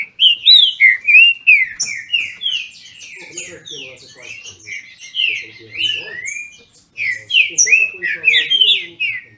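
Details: Green-winged saltators kept in captivity in Brazil compete in song. Loud, rolling whistled phrases repeat about three per second, overlapping as the rivals answer each other, easing off midway before a strong burst returns near the end.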